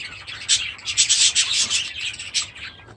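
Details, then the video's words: Several budgerigars in an aviary with chicks give dense, rasping, high-pitched chatter in quick overlapping bursts over a faint low hum. "My Budgies Today"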